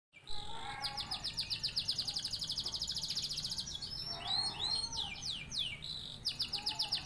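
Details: Canary from Indonesia singing a rapid, varied song of high trilled rolls and repeated chirps, with fast downslurred sweeps midway and brief lower warbled notes; faint background noise.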